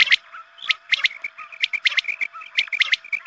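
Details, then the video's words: Quail calls played at the time of the dawn call to prayer to bring quail in: bright, high triple chirps in regular groups, with softer slurred notes in between. "Batair mast awaz#Azaan ke waqt ke awaz#batair shekar#batair sound"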